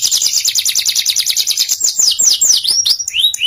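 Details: Canary song used as master training audio for young canaries: a fast trill of rapid high notes, then a series of loud descending whistled sweeps, with bright chirps running continuously throughout.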